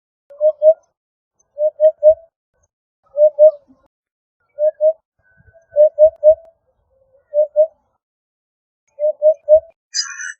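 Eurasian hoopoe giving its soft, low hollow hoots in short phrases of two or three, repeated every second or so; a brief higher chirp at the end.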